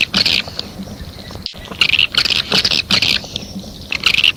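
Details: A swiftlet calling sound (A4): bursts of high, buzzy chattering, about half a second each, repeated every second or so, with a brief silent break partway through.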